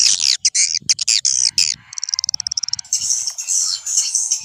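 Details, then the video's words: Old-style swiftlet lure recording meant to attract swiftlets: sharp chirping bursts, then a rapid train of clicking pulses, then a steady high buzzy chatter. "Suara Panggil Walet SUPER JADUL"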